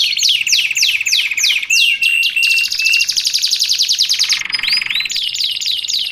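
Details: Canary song used for training and luring canaries: loud, fast phrases of repeated downward-sweeping whistles, then a long rapid buzzy trill and clear sustained notes, all high-pitched.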